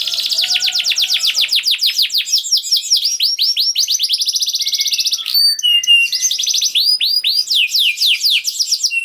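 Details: Canary singing a long, fast rolling trill of evenly spaced syllables that breaks into varied whistled notes and twitters, played to get silent canaries singing again.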